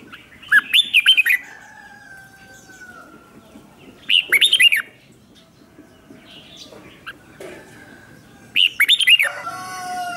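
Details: Red-whiskered bulbul used as a lure to call in wild birds, with no background noise: three bursts of rapid, loud, arched whistled notes about every four seconds, separated by quiet gaps with faint steady hum.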